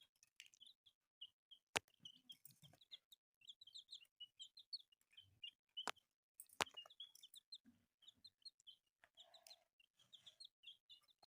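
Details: Newly born chicks giving soft, high, short peeps in scattered bursts, broken by several loud sharp clicks and taps.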